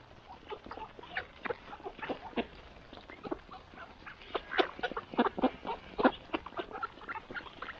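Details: Mallard ducks at morning feeding, giving a loose series of short nasal quacks and chatter, irregular and several birds at once, growing busier and louder in the second half.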